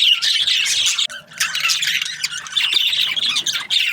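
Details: Breeding pairs of budgerigars in an aviary: bursts of busy, scratchy chirping and squawks from several birds, broken by a brief quieter gap near the first second and dips later.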